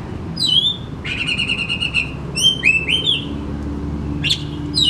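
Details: Oriental magpie-robin pouring out its repertoire in full song: bright slurred whistles, then a fast, buzzy, rattling series, then more rising and falling whistled notes in rapid succession, with faint low rumble behind.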